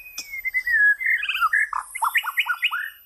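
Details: White-rumped shama song opening with a long, slowly descending whistle, followed by a rhythmic string of repeated paired, dipping whistled notes.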